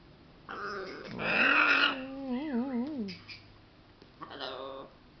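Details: Pet macaw, sex uncertain (owner suspects male), playing with its favourite towel indoors: a harsh, raspy screech, then a wavering, warbled call that dips and rises, and a shorter croaky call a second later.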